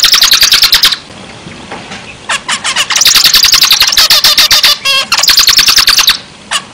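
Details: Zebra finch in energetic song, pouring out rapid buzzy nasal notes in a long three-second run, including a brief squeaky trill, with short silences before and after.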